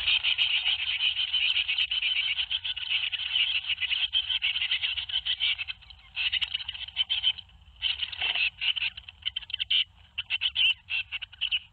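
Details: Tits at a nest box in Théding on 21 May 2019, during the fledging of seven young: dense, buzzy, rapidly repeated harsh notes run almost continuously, with short breaks and a slight drop near the eighth second.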